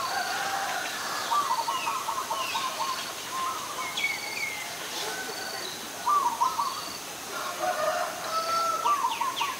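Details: Adult zebra dove recorded at Ubon Ratchathani, Thailand, on 13 May 2022, giving rapid staccato trilled cooing bursts in several separate phrases, set against high thin chirps from other birds.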